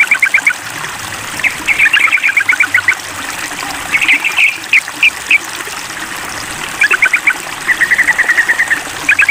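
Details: Sooty-headed bulbul calling a rival in a mental test, giving repeated bouts of rapid bubbly chatter and a few isolated sharp notes, with a steady rushing background like flowing water.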